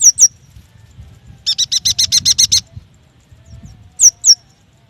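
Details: Yuhina song used to coax young or silent birds into singing: two sharp high down-slurred chips, then a fast run of about nine buzzy repeated notes, followed by two more slurred chips.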